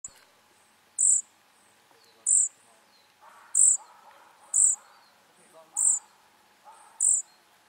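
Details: Flycatcher nestlings calling: short, very high, thin piercing notes repeated about once every second, with a faint, lower chattering murmur beneath some of them.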